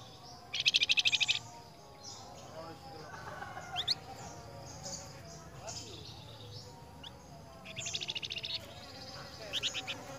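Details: Flamboyan singing in reply to another flamboyan: a loud, fast dry trill of about ten rattling notes near the start, a second similar trill later. Short chirps fill the gaps, with other birds calling faintly behind.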